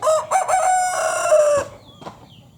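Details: Broiler rooster, one of a pair of broiler chickens temporarily used as breeding males near a village home, giving a loud crow: a few choppy opening notes, then a long harsh note that drops at the end, followed by quiet.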